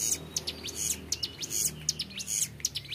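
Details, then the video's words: Young mountain prinia with a clear ngebren song: sharp high chips fired in quick bursts of about three per half second, with faint thin whistles between them. "CIBLEK GUNUNG MUDA GACOR NGEBREN PANJANG SUARA JERNIH"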